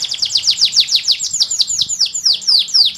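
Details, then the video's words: A canary sings a fast, loud run of high, sweeping downward notes, roughly four or five per second, bright and ringing. "Best Canary Singing - Very strong canary chants"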